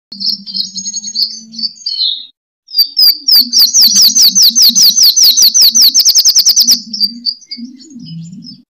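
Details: Sunbird fighting song, used as a lure and training recording for kept birds: high thin chattering notes, then a fast run of rapid repeated sharp chips about six seconds long, over a low steady hum.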